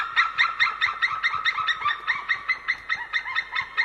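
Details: Ringed white-tailed eagles calling from a tree at a winter feeding ground in Estonia, 20 January 2013, mid-afternoon: a steady, rapid run of loud, yelping notes, about two to three each second, continuing without pause.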